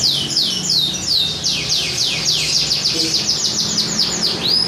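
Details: Competition-style canary song from the Pantura region of Java, Indonesia: a fast string of high, sweeping downslurred whistles repeated several times a second, with steady low background hum throughout.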